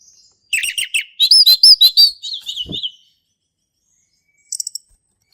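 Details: Male orange-headed thrush singing in the ngeplong style, recorded in the forest: a loud, fast run of rich whistled notes with rising-and-falling slurs, then a quiet gap and a brief high chatter.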